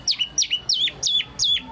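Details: Spot-throated Babbler (local name wambi mini), a prized Indonesian cage songbird; five quick identical phrases about three per second, each a high clear note slurring down to a lower whistle, in a quiet background. Males sing actively when courting females.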